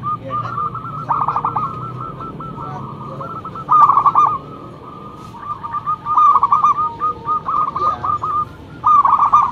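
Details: Loud local zebra dove used as a lure, singing repeated phrases of fast stuttering coos with quieter stretches between bursts and low background rumble.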